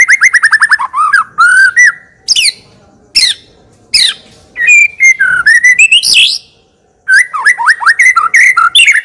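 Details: Chosen White-rumped shama in full song with varied fill phrases, used to prompt other birds: rapid descending note runs, loud sweeping whistles and harsh bursts separated by brief silences.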